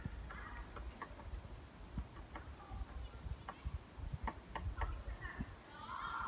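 A woodpecker taps wood in sharp, irregular knocks, some singly and some in quick pairs, over a low city rumble with faint high bird calls.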